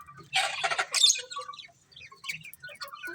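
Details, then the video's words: Budgies chirping: two loud harsh squawking bursts at the start, then scattered high chirps and short whistled notes from several birds. "Beautiful Colourful Budgies Chirping Sounds"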